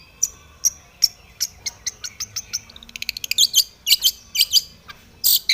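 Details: Long-tailed shrike in aggressive song, seeking a rival. Spaced high ticks and short whistles speed up into a dense trill, then break into harsh chattering bursts.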